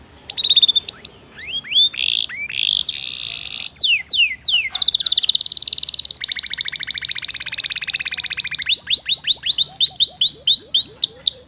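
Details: Canary singing a long, richly varied song: rising and falling whistled slurs, then a fast buzzy rattle of rapid notes, ending in repeated bright, downslurred whistles.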